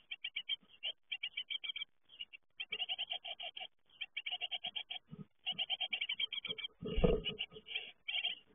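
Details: Great tit young leaving the nest keep up fast, harsh chirping in tight groups, while a deep rumbling knock sounds near the end.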